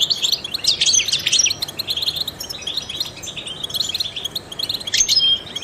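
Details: Trained European goldfinch twittering in short, energetic bursts of high, jangling chirps, separated by quieter stretches of soft chatter, with a final bright flourish near the end.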